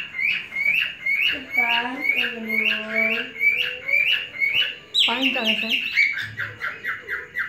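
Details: Male cockatiel in a breeder's collection teasing a female, short rising whistles repeated in a steady series, broken by a person talking midway and again briefly before the notes resume.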